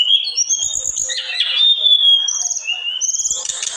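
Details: Olive-backed tailorbird pouring out song: a long, piercing whistled note held steady, broken by short chips and trills, ending in a higher rattling phrase, with a few soft low knocks.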